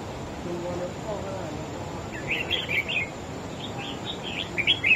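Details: A wild-caught red-whiskered bulbul duelling in song with another bird, pressing over its opponent: after a quiet start, a run of chirpy, gurgling whistled phrases builds toward the end, with steady background hiss.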